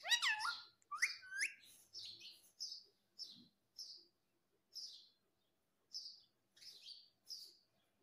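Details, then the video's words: Talking parrot known for saying "mummy" and "papa" opens with two strong bending harmonic calls, then gives a string of brief high chirps spaced about a second apart. "बोलने वाला तोता मिट्ठू 🦜*****talking Parrot mummy 😍 papa 😍"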